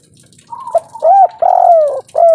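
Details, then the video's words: Spotted dove of local Indonesian stock in kuk 3 style, giving a brief phrase: a soft level note, then a few loud, rounded coos with one longer, sliding middle note. "derkuku kuk3 lokal gacor ngamuk suara besar"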